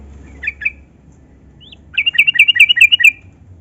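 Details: Yellow-vented bulbul (trucukan) in a recording used to stimulate other bulbuls to sing; two brief chirps, a short upslurred note, then a rapid run of about nine bright, bubbly notes.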